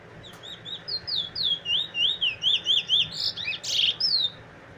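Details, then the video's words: Song of a black Trini bullfinch of good bloodline, recorded 15 March 2020: a steady series of loud wavering whistles, roughly three per second, turning to buzzy rasping notes near the end, over a constant background hiss. "Trini bullfinch black bird good bloodline bird"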